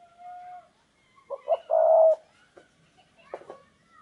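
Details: Decoy spotted dove luring wild doves. A steady whistled tone is followed by short cooing notes that build into one loud, drawn-out coo, then faint scattered calls and a brief fainter coo.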